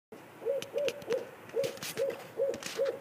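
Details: An owl that regularly turns up outside a window gives a run of seven short, soft hoots, evenly spaced about every third of a second. Faint clicks and rustling sound in the background.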